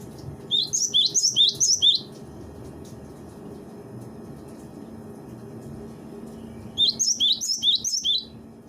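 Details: Cinereous tit song from a bird-training master recording. Two bursts of about six quick, high, ringing phrases, roughly six seconds apart, with a steady low hum in between.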